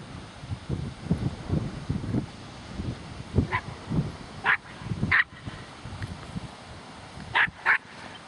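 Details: At Garsdale Head in the Yorkshire Dales, oystercatchers give short, sharp, high piping notes, singly and in quick pairs, over a steady low rumble of wind or surf.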